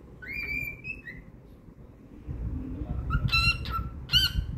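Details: Cockatiel kept as a pet, singing happily: a drawn-out level whistle with a brief upward slide opens, followed by quiet hum and then two sharp harmonic chirps near the end.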